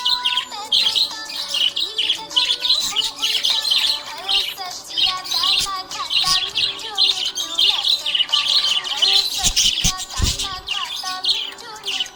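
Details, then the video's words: Contented budgie's long run of rapid, scratchy chirping and chattering, with gliding whistles and a few low bumps toward the end. "Happy budgie chirping sound"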